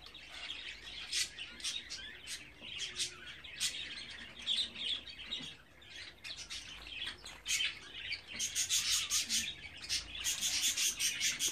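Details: Young budgerigars at 24 days old call nonstop, quick scratchy chirps repeated about two or three per second, growing louder and busier toward the end.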